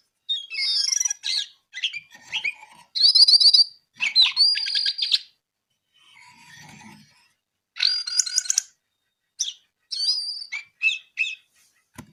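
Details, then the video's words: Brown-eared bulbul singing steadily, in bursts of varied whistles, chirps and buzzy trills, mostly high-pitched, separated by short pauses, with a faint low rumble near the middle. "KICAU JONGKANGAN COKLAT GACOR TELER"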